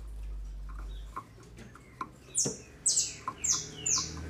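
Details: Female green-winged saltator from a Brazilian captive breeder, used to excite males: after a low hum and faint ticks, bright high notes descend in a repeated pattern roughly every half second.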